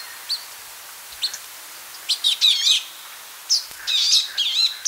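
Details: Palestine sunbird: a few isolated sharp chips, then dense bursts of high, looping, wavering trills in quick succession, with quiet background.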